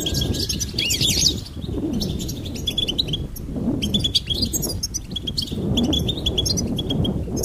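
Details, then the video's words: A goldfinch twitters in quick bright chirps and liquid trills, almost without pause, over a steady low rumble and what may be soft cooing. "Charming Goldfinch Peep Fun for bird stimulation birds chirping"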